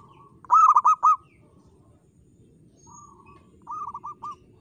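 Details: Local zebra dove cooing: a loud rapid series of rolling, bubbling coos, then a softer trill and a second quieter bubbling phrase, over low background rumble.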